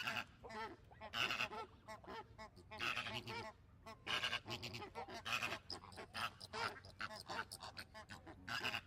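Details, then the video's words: Flamingo flock in noisy chorus: overlapping harsh, nasal honks in irregular bursts, some louder calls standing out above continuous gabbling. "Flamingo Sounds | What does a flamingo sound like"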